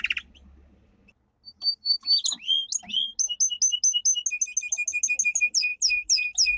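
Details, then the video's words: Domestic canary singing a strong training song: a brief trill, whistled notes and swoops, then a long run of fast alternating chips and ringing downslurred notes, with a faint low hum in the background. "Canary singing - 2 Canary 's most powerful song for training"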